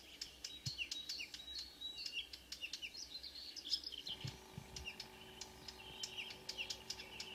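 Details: Dawn song of a Marsh warbler, Kråkstad, Norway, 2 June 2009: continuous fast medley of clicks, buzzy trills and whistled notes, several per second, with soft low thumps and a faint hum.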